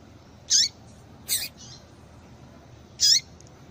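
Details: Female double-collared seedeater calling, a call used to stir caged males into singing; three short, high, sharp chirps with a downward tail, two within a second, then one more after a pause, over a quiet background.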